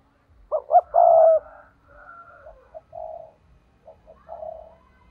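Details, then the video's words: Decoy spotted dove in the 'thúc' call used to attract wild doves into traps: two sharp coos and a long coo, then several softer, shorter coos trailing off over the next few seconds. "Chim cu gáy thúc || tiếng chim cu gáy mồi chuẩn cực hay dùng kích bổi hiệu quả nhất"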